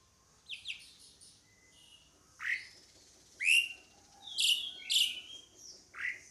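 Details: Pied myna producing loud downslurred whistles and squeaky chirps, some bent and nasal, spaced irregularly about half a second to a second apart, over low background hum.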